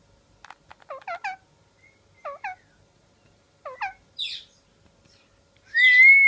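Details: Parrot kept as a pet, out of its cage: small groups of short, curled chirps with pauses between them, a harsh rasp, and then a long loud whistled note.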